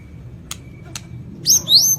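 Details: White-rumped shama of the Lampung type, singing in full, lively form with a complete repertoire of mimicked notes: two sharp clicks, then two loud, high whistled phrases, each slurring upward, over a low steady background hum.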